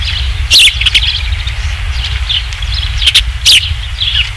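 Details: Osprey at its ranch nest, 27 July 2016, third fish delivery: bright high chirps and rapid whistled notes in short clusters, with sharp crackling bursts and a low rumbling hum.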